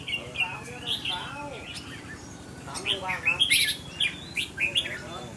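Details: Red-whiskered bulbul being tested for temperament, giving bright, slurred whistled phrases that pick up pace in the second half, over soft background voices.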